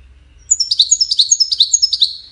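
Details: European goldfinch singing: after a short quiet start, a fast run of bright, high twittering notes with sharp chirps, repeated about eight times a second, loud and clear with no other sounds.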